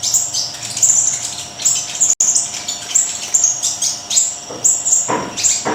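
A Siri-siri kecil sings in very high, thin chirps and sharp tweets, repeated quickly, with a brief louder burst near the end.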